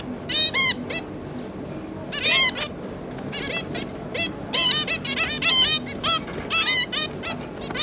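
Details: Two adult zebra finches with three juveniles, recorded on 5 August 2022, give bursts of nasal, honking notes, often doubled or tripled, spread irregularly across the clip over a low background hum.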